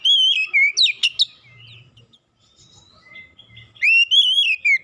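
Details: Oriental magpie-robin lure song, used to coax hard-to-train birds into song. A loud wavering whistle with sharp chips comes first, a quiet pause follows, then another long wavering whistle.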